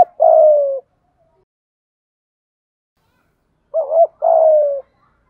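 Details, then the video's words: Decoy spotted dove cooing to lure wild birds in the 'gáy gọi một hậu' style; a long falling coo, a pause of about three seconds, then a complete phrase of a quick warbled double note followed by another sustained descending coo. "chim cu gáy mồi thúc gù kích bổi hiệu quả/ tiếng chim cu gáy bài bản gáy gọi một hậu"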